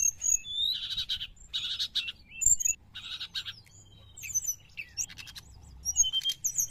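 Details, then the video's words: Sooty-headed bulbul lure song with harsh buzzy bursts alternating with thin high whistles and chirps, a short quieter gap, then more sharp notes toward the end. "srdc gacor penarik burung bahan"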